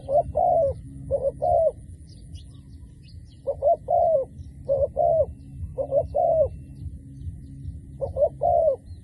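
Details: Decoy dove used for trapping, calling repeatedly. Mellow paired coos come in bursts about every one to two seconds, a few faint higher chirps early on, and a low steady hum beneath.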